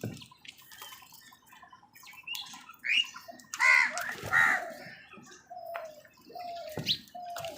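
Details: Crows fighting with wild birds for food: harsh, broadband squawks and caws burst out in an irregular flurry, loudest in the middle, with thinner chirps from other birds scattered around them.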